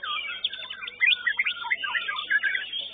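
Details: White-rumped shama (murai batu) singing at a bird-song contest: a rapid, varied run of loud whistled and chattering phrases, bright rising and falling notes packed tightly together, over a low background murmur.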